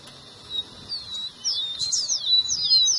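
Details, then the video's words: Rufous-collared sparrow song intended to stimulate a pet bird: soft high whistles that rise in strength into several quick down-slurred notes and buzzy flourishes toward the end. "seu tico tico vai ficar doido com esse áudio"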